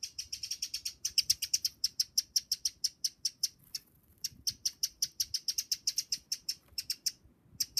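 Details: Eurasian wren giving a long series of sharp, high, dry ticks, several per second, keeping a steady pace with one short pause midway, over a faint low rumble.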